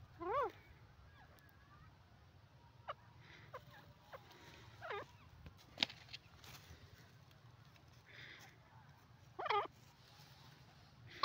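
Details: Pair of dakhni teetar, black francolins: scattered calls, each a descending or zigzag note, loudest near the start and end, with long quiet gaps, faint clicks and a constant low hum.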